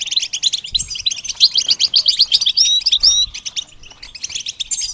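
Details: Goldfinch singing during song training for beginners: fast, high twittering phrases of buzzy notes and short clear whistles, with a brief pause near the end before the chatter resumes.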